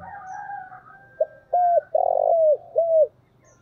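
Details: Spotted dove used as a decoy, calling: a soft murmured coo, then a series of four loud, clear, arched cooing notes, the third longer and fuller, each about half a second apart.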